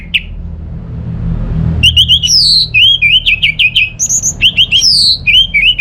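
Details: After a lone opening note and nearly two seconds of quiet, an orange-headed thrush from Singaraja, North Bali, bursts into a fast varied song of bright slurred whistles and chattering notes, some rising, some falling, with faint background hum.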